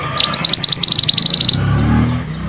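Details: A single burst of energetic Pied bushchat song, used to stir silent birds: about a dozen high, clipped notes fired rapidly over just over a second, then low hum.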